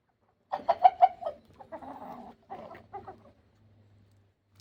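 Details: Straining rooster, thought possibly constipated, giving a strange call: a quick series of loud, harsh staccato clucks followed by drawn-out grating notes and softer broken clucks, then a low hum.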